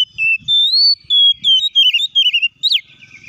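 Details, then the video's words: Kacer (oriental magpie-robin) song for provoking other birds into song: long slurred whistles followed by quick wavering trills and a sharp rising note, with faint low knocks beneath. "PANCINGAN BURUNG KACER AGAR IKUT BUNYI DAN BUKA MATERI"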